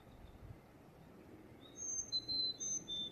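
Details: Carolina chickadee song: after a quiet start, pure whistled notes alternate high and lower, about five in quick succession, against soft low-frequency background noise.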